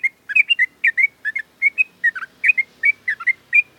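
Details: Sooty-headed bulbul in its cage during a morning sunning routine, pouring out quick, liquid, whistled notes in a continuous, uneven chatter, with a low hum faintly behind.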